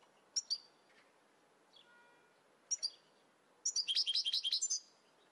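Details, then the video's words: European goldfinch from a recording made to train caged birds: scattered high chirps followed by a fast, bright run of tinkling, twittering notes, fairly quiet. "Goldfinch From Training Video"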